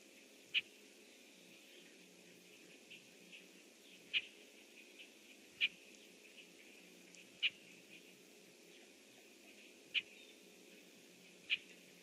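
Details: Red-winged blackbird at its nest tree, recorded around 07:08 on 25 June 2014, giving six crisp, abrupt chip calls at intervals of about one and a half to two and a half seconds; quiet steady hiss behind.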